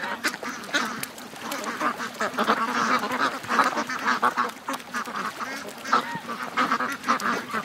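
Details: A morning rush of more than 700 ducks and geese heading to the lake: many loud, nasal quacks pile on top of each other in a steady din.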